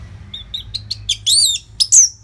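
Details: Orange-headed thrush in a steady tutor song for fighter birds: soft rising whistles build into loud, harsh, buzzy notes near the end.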